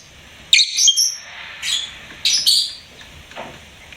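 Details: Pet lovebird chirping: three loud, high, harsh chirps with a short whistled edge, spaced irregularly over a few seconds in a quiet indoor setting.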